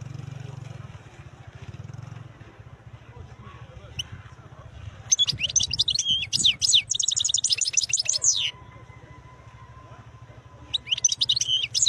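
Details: European goldfinch called khlawi, singing: after quiet hum, a lively burst of high twittering and buzzy trilled notes for about three seconds, then silence and another twittering phrase starting near the end.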